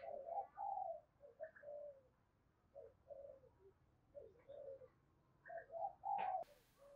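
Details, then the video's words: Spotted dove lure call in the Hai Hau style, used to provoke wild doves; soft groups of low coos separated by pauses, ending with a sharp click. "tiếng cu gáy mồi chuẩn gáy gọi HAI HẬU dùng kích bổi gáy vang cả buôn làng"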